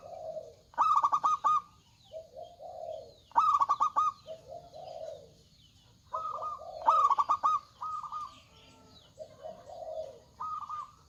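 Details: Local zebra doves, males and females answering each other, in loud-voiced song: rapid staccato bursts of ringing coos alternate with softer, lower rolling coos, phrases returning about every three seconds.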